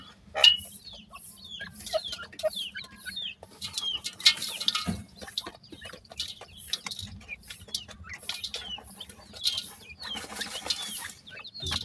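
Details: Grey francolin chicks calling: scattered high, thin peeps and short down-slurred chirps at irregular intervals, several birds overlapping, with soft clicks and a low background hum.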